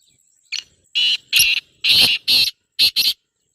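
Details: Female black francolin calling to attract a male, meant to make a silent kept male start calling: a series of six harsh, grating bursts, each short and noisy, delivered in quick irregular succession.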